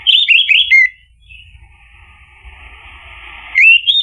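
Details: Orange-headed thrush song meant to coax another bird into answering: three quick loud whistled notes, a long soft continuous warble, then a loud rising whistle at the end.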